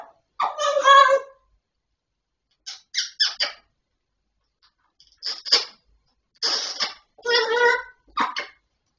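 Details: Grey parrot mimicking speech, with bursts of harmonic word-like syllables and squeaky notes separated by short pauses in a quiet room.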